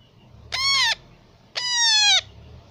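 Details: Two drawn-out, grating squawks from a baby parrot, the second slightly longer and sagging in pitch at its end, one second apart against a low background hum.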